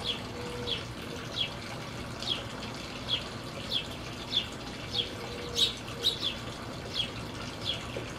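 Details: Western tanagers feeding on oranges, jelly and suet at a feeder in Colorado Springs give short, sharp high chips, one or two each second, over a steady rushing background like running water.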